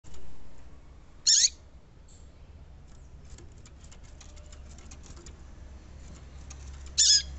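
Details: Female yellow-bellied seedeater calling, a call used to stimulate males to sing: two short, sharp, high chip notes about six seconds apart over a faint steady hiss.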